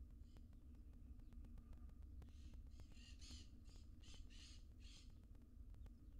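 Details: Seven wild barn owl nestlings in a nest box, one of them tiny: a quick run of about eight raspy, hissing bursts in three seconds, set against a constant low electrical hum.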